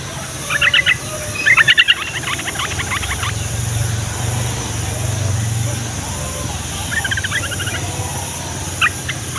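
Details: Yellow-vented bulbul song used as a master sound to get other bulbuls answering. Bursts of rapid bubbly chirps at the start and again later, with a low rumbling drone in the middle.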